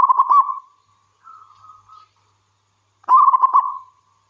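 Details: Zebra dove, a local wild bird singing persistently, heard as a lure to get other doves calling. A pulsing coo fades into a gentle, slightly higher drawn-out coo, then a second vigorous trilling burst follows.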